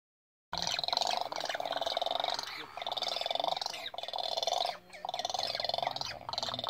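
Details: Swallow-tailed gulls on Isla Genovesa in the Galápagos, Ecuador, recorded handheld by phone on 20 April 2019. Harsh, buzzy, harmonic rattling calls come in long, nearly continuous bursts, broken by brief pauses.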